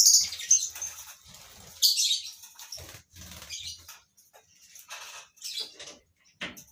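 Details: Lovebirds kept for colony breeding, giving sharp, harsh high chirps in irregular bursts, some clustered and loud, others faint and scattered, with brief quiet gaps and soft low thumps beneath.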